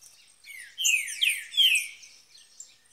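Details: Green-winged saltator in the woods: a short burst of three loud, rich whistled notes sliding downward, backed by high twittering overtones, then fading to quiet chips.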